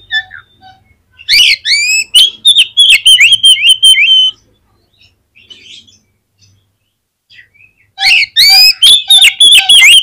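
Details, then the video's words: Oriental magpie-robin in vigorous song, used to stimulate other magpie-robins: a loud three-second stream of fast whistled and buzzy slurred notes, a quiet pause with soft twitters, then another powerful burst of rapid phrases. "SUARA KACER GACOR INI SANGAT AMPUH BIKIN KACER LAIN CEPAT NGEPLAY"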